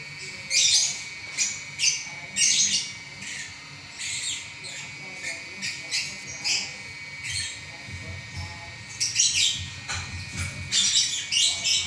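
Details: Champion lovebird singing ngacor continuously: a dense stream of short, scratchy chirps and squawks, coming faster and louder toward the end in tight clusters, over a low murmuring background.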